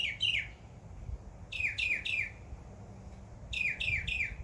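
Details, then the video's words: Backyard bird in summer repeating groups of three bright down-slurred chirps, each group about two seconds apart. "Birds Chirping Sound"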